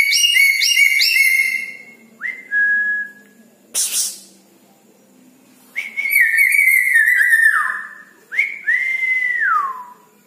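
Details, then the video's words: Red-breasted parakeet singing vigorously at night: loud, harsh, harmonic calls in rapid bursts, then clear whistled notes that slide down from high to lower pitch, separated by short pauses and one sharp noisy burst. "Nuri Paltem Gacor diMalam Hari"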